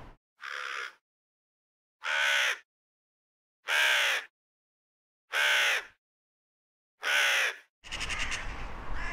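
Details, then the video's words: Crow giving five loud, harsh, drawn-out caws, each about half a second long and spaced roughly every one and a half seconds in otherwise quiet surroundings, followed by a burst of noisier calling at the end. "Sunete de ciori. Sunete de pasare cioara."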